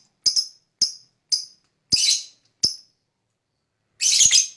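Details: Lovebird calls from a lure recording meant to make other lovebirds respond: a series of piercing high chirps about half a second apart, one slightly longer and harsher, then a brief dense burst of chatter.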